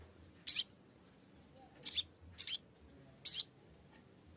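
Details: Lesser green leafbird calling a rival, used as a lure to make birds sing quickly: four sharp, high, raspy chip bursts, irregularly spaced roughly a second apart.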